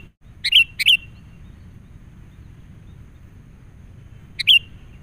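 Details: Wild sooty-headed bulbul, agitated and responding to a lure bird during bird trapping. Loud bright bubbly notes: a quick double burst near the start, then silence, then a single burst near the end, over faint low background noise.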